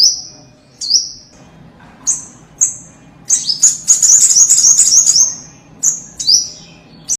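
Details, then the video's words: Common iora lure for an untrained captive bird: spaced high downslurred notes, then a dense, fast chattering burst lasting about two seconds, followed by more sharp falling notes in quick pairs. "Pancingan sogon bahan supaya bunyi"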